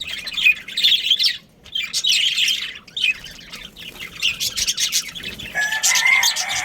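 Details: Budgerigars, a breeding pair of Australian parrots kept as pets, chattering with busy scratchy warbles and chirps, a pause near the middle, then dense rapid twittering; a rooster's drawn-out crow enters near the end.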